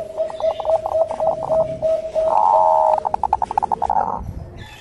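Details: A zebra dove (Bangkok perkutut) sings a lure call: soft, fast cooing with rapid pulsed notes, a brief louder rolling trill, then quick staccato coos.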